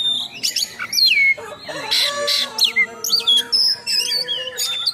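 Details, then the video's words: Oriental magpie-robin singing loudly in full 'nembak' style with rough 'isian kasar' fill-ins, meant to provoke and train other magpie-robins; sharp descending whistles and harsh notes come in quick bursts, with a faint steady low hum behind. "Kacer Gacor Full Nembak Isian Kasar Bikin Emosi Kacer mu"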